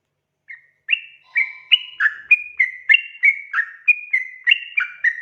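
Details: Sooty-headed bulbul in a lively lure recording to make newly caught birds sing: after a short opening note, clear whistled notes follow at about three per second, each a slurred pair, varying slightly in pitch.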